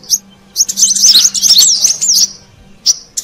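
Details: Brown-throated sunbird lure call, used to attract wild birds: a dense burst of high, thin, twisting chirps and twitters with short gaps and a brief repeated note near the end, over a steady low electrical hum.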